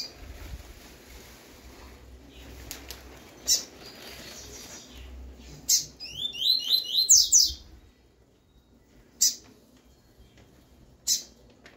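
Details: Tui-tui song of a double-collared seedeater (papa-capim), used to teach young birds: a burst of rapid rising and falling whistled notes lasting about two seconds, framed by isolated sharp high clicks at irregular intervals, low rumbling background.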